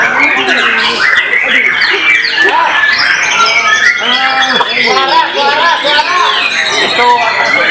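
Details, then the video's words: White-rumped shama at a singing competition where it placed third runner-up: loud, clear whistled phrases with rising and falling slurred notes and rapid varied trills, overlapping other birds singing at once, with some voices and background noise. "MURAI BATU"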